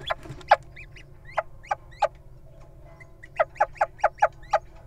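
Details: Wild little owl standing guard as its mate enters a nest box, uttering clipped, piercing rising notes in uneven groups, ending in a rapid cluster of five or six calls.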